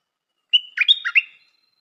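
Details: A single stripe-throated bulbul phrase, a new decoy bird: a sharp opening whistle, then a rollicking tumble of four or five liquid notes, in otherwise silent surroundings.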